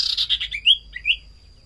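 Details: Common iora singing vigorously, played as a lure sound to draw other birds: a quick descending run of clear whistled notes, then two brighter rising whistles with a short gap between them.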